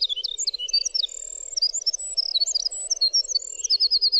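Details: High, bubbling winter wren song: a continuous run of sharp squeaky notes and thin whistles, finishing with a quick series of evenly repeated notes, a steady low hum underneath.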